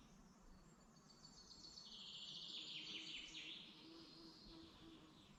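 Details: A morning song in the Dublin mountains forest, Ireland: a rapid, high, ticking trill swells and steps down in pitch over several seconds, fading into thinner distant notes over quiet woodland hush.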